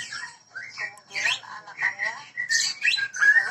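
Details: White-rumped shama, Medan type, singing in gacor style in a breeding setting: short varied whistled and chattering notes, rising slurs and squeaky phrases in quick succession.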